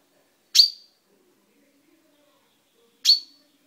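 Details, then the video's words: A caged chaffinch with a newly purple beak, recorded indoors in May 2012, calls twice with crisp, high metallic notes about two and a half seconds apart, each brief and quickly fading, with a quiet room behind. "Mi pinzon cantando"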